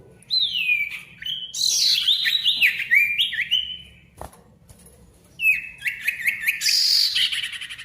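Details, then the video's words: Noisy, vigorous song of a male ashy tailorbird: long falling whistle, a harsh bright chatter mixed with sliding notes, a short pause, then a quick run of repeated notes and a rasping burst. "SIRTU GACOR RIBUT COCOK UNTUK SIRTU MACET BUNYI AGAR GACOR KEMBALI"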